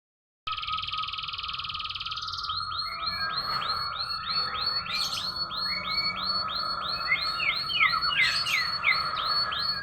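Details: Domestic canary singing in an unusual way: a steady buzzy trill, then a long run of quick hooked, upward-curving whistled notes repeated about three times a second, with a constant low tone underneath.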